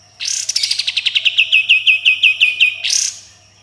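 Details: Sooty-headed bulbul singing a continuous tembakan volley with coarse besetan: a rapid string of about eighteen clipped, ringing notes descending slightly then holding steady, closing with a harsh buzzy burst.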